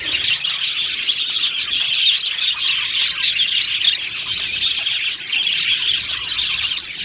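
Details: Australian parakeets in a colony aviary, chirping and warbling constantly; the many overlapping high notes blend into one busy chatter, with an occasional louder chirp.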